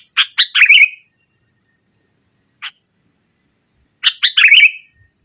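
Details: Sooty-headed bulbul giving vigorous 'nggaruda' song to press an opponent: a chirp-and-trill phrase, one lone chirp after a pause, then the phrase again about four seconds after the first.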